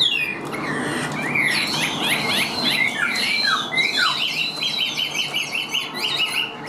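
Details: Caged, hand-tamed Chinese hwamei that sings while its cage is carried by hand. It gives loud, clear whistled phrases of sweeping slurs and downward notes, then a fast run of repeated sharp notes, over steady background hiss.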